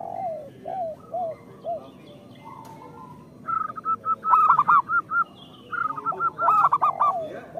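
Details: Local zebra doves singing as a lure for other zebra doves: soft low coos first, then loud rolling coo phrases of rapid rounded notes, twice, with overlapping calls from several doves.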